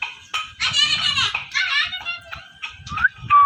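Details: Parrot chirping and calling: rasping, harmonic squawks in quick bursts, a few short chatters, ending in a sharp rising whistle and a sustained high whistled tone.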